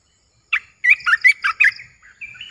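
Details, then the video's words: An olive-winged bulbul, kept caged and recorded 29 June 2021, delivers a fast phrase of loud, throaty chirps that ends in a drawn-out, rising whistle. "เสียงนกกรงตาแดง(นกปรอดสีไพลใหญ่)Ep.1Birds sounds suara Burung merbah beluker gacor"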